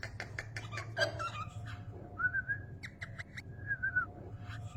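A cockatiel makes sharp clicking, beatbox-like pops followed by short warbling whistled phrases.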